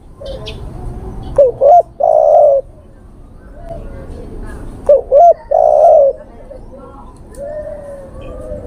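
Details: Male spotted dove calling a female, used as a lure call: two cooing phrases about three and a half seconds apart, each a clipped note, a quick double coo, then a longer drawn-out wavering coo, over a faint steady background hum.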